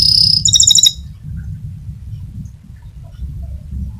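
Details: Canary of the fighter type giving its rolling song, suited for tutoring other canaries: a high steady whistle, then a rapid trill of bright repeated notes lasting under a second, followed by low background rumble.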